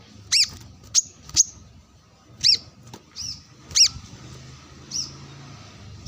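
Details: Brown-throated sunbird calling out to a rival while sunning among wild birds; piercing high chirps with a quick rise and fall, given in uneven bursts with short gaps and a quiet low rumble beneath.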